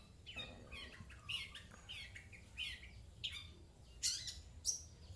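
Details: Pet long-tailed shrike in a cage answering coughs, uttering fairly quiet, rasping, chattering calls, about one or two per second, some rising and buzzy, over low room noise.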